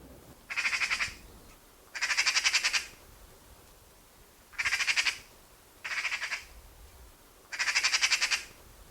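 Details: Eurasian magpie chatter call: five harsh, rattling bursts, each a rapid run of dry notes lasting about a second, with short pauses between them.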